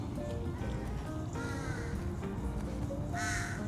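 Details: In a city park near home in Thailand in the morning, with many crows and ravens about, crows give two harsh, nasal caws about two seconds apart over steady background music and low city rumble.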